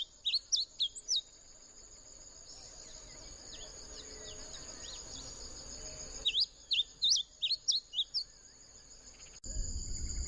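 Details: Bunting song in two bursts, each a fast string of short, bright, sliding whistles, separated by several seconds of quiet with a constant high-pitched insect drone throughout; a louder noise at the end.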